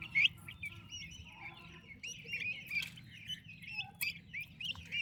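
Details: Turkey chicks cared for by their mother; one loud, sharply rising peep opens, followed by a continuous mass of softer, wavering high cheeps and a few clicking taps.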